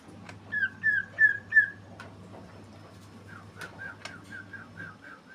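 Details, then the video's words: Greater green leafbird singing in rolling style, softer here: four clear whistled notes in quick succession, a short gap, then a quieter string of lower warbled notes over a steady low hum. "cucakijo gacor ngeroll"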